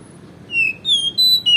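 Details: Oriental magpie-robin song, played so that other magpie-robins are prompted to sing: a few clear, high whistled notes, drawn out and slightly slurred, one after another over a low background hum.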